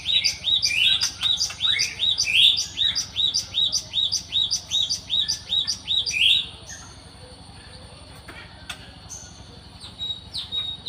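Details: Java sparrow in the wild giving rhythmic, bright chirps for about six seconds before falling mostly quiet, with a few scattered faint notes and ticks afterwards.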